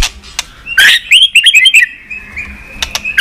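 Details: Training song of a White-rumped shama: a harsh burst, then a quick run of bouncing whistled notes, a long thin steady whistle, two clicks, and a final bright note.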